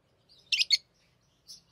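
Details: Tamed lovebirds singing during ring play. A quick pair of harsh, high chirps is followed by one fainter, thinner chirp.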